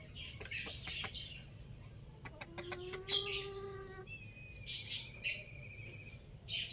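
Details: Rooster crowing loudly: one drawn-out, harmonic-rich crow of about a second and a half, held at a steady pitch, set among sharp, high chirps from small birds before and after.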